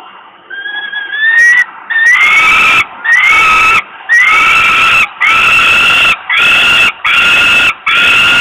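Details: Hungry falcon chick begging at a nest site in Włocławek, Poland, on 27 May 2022 around 20:06 while the father brings food. It starts with thin rising whines, then gives loud, harsh, grating wails, each lasting about half a second and repeated almost every second.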